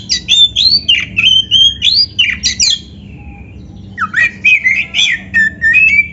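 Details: Oriental magpie-robin (kacer) song, played to provoke caged birds into answering: loud, varied whistled phrases with sharp slurred and rising notes, a pause near three seconds, then another burst of chattering whistles ending in a drawn-out note.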